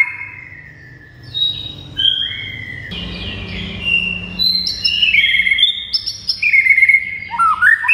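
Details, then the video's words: White-rumped shama singing to provoke rival shamas to respond: varied whistled phrases shifting in pitch, growing louder into rapid rich warbles and rising notes near the end, over low background rumble. "MURAI BATU GACOR , DIJAMIN MURAI MANAPUN AUTO NYAUT DAN NGAMUK SEKETIKA"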